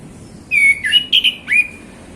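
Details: Male orange-headed thrush singing relaxed in the afternoon: a loud, clear phrase of four whistled notes, smooth slurs dipping and rising, ringing and close.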